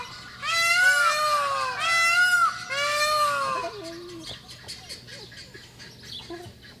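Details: Indian peafowl giving three loud, nasal, wailing calls in quick succession, each about a second long and rich in overtones, followed by softer scattered chirps; a dog's yip is heard.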